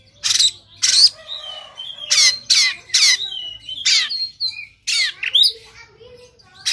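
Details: Aggressive Oriental magpie-robin, Sumatran type, fighting with tail spread: a string of harsh, grating 'shot' bursts mixed with clear whistled glides and twisting slurred notes, loud and irregular.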